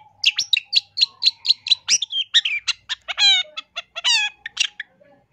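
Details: Long-tailed shrike in 2023 masteran song full of imitations, for training caged birds and luring. Quick repeated chips lead into two harsh, drawn-out nasal rasps, then a few final chirps.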